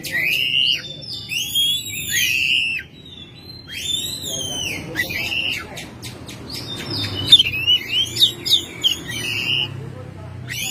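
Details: Oriental magpie-robin, a home-kept bird recorded in May, singing a loud varied song of whistled, slurred phrases and sharp chips, with bursts of rapid clicking notes near the end and a low background hum.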